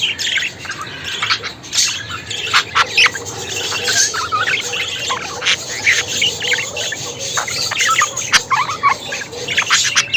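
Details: Lively budgie warbling, a steady stream of scratchy chirps, clicks and brief whistled rising notes, busy and unbroken throughout.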